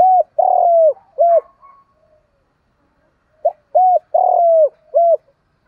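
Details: Spotted dove in the morning calling to provoke fighting. A loud three-part coo phrase, short, long-drawn and short, is given twice with a silent gap between, each note clear, mellow and slightly falling at the end.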